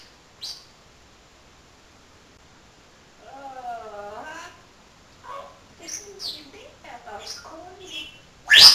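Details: Talking parrot kept as a pet indoors: after near silence, a drawn-out wavering voice-like phrase, then several short chattering syllables, ending with a sudden loud high squawk.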